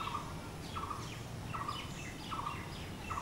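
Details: Blue-throated barbet, locally bosonto bouri, sounding five regular mid-pitched notes about 0.8 seconds apart, accompanied by quick descending high chirps of other birds.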